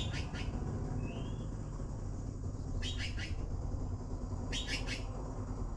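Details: Blue magpie begging calls: rasping broadband bursts in clusters of three pulses, heard three times about every two seconds, with one short rising whistle between them, over a steady low rumbling background.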